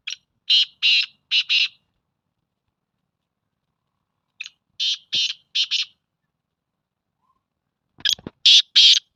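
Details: A black francolin gives loud scratchy call phrases about every four seconds, each opening with a brief soft note, then four grating, buzzy syllables delivered in an uneven tumbling rhythm; a few sharp clicks sound near the end.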